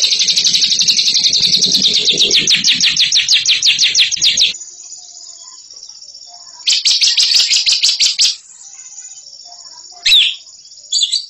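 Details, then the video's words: Champion ngekek bird: a four-second burst of loud, rapid chattering notes, then quiet, then a shorter chattering burst. Brief sharp calls follow near the end. "INI DIA JAGONYA NGEKEK"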